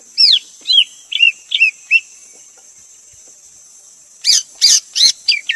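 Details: Greater green leafbird giving high, bright whistled notes, a run of quick downslurred phrases, a pause, then louder sharp whistles; a steady high hiss runs beneath.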